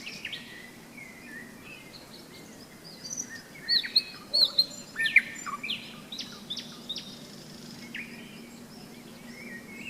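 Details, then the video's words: Nightingale song on a May day beside the Seversky Donets in thunderstorm season: a mix of whistles and clipped notes swelling to a loud middle burst, then fading, with frogs croaking steadily in the background. "Майская трель соловья"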